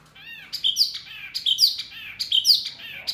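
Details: Songbird on a masteran (tutor) recording meant to make Murai, Kacer, Cucak Ijo and Jalak answer: three repeated phrases about every 0.8 seconds, each of rising-falling whistled notes topped by sharp, high chips, with a faint low hum behind.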